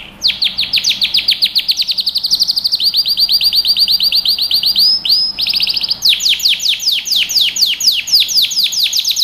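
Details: Loud canary singing, used to train young birds, moves through back-to-back tours of rapid down-slurred notes at changing pitches, with looping phrases between them and no pauses.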